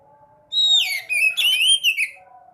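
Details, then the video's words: Swallow (sekoci) song used as a lure for caged birds: one long high whistle, then a sweeping fall into quick chattering twitters and a rolling warble, ending in two brief notes. "Pancing burung sekoci yang males bunyi"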